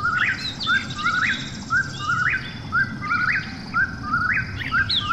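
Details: At night an Eastern whip-poor-will repeats its rhythmic whistled phrase about once per second, each ending in a quick upward sweep, while other birds chip faintly in the background.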